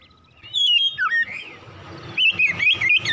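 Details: Oriental magpie-robin in morning ngropel song: sliding whistled notes, then a fast run of bright, looping whistles repeated in quick pulses over a faint hum.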